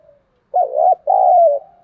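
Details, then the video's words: Decoy spotted dove kept for luring wild birds, giving its calling coo: a faint lead-in note, then two loud, round, warbling coo phrases back to back, the second longer and steadier. Quiet background, no other sounds. "Chim Cu Mồi Thúc Bổi Và Gáy Gọi Hay/ Tiếng Chim Cu Gáy Thúc Gù Căng"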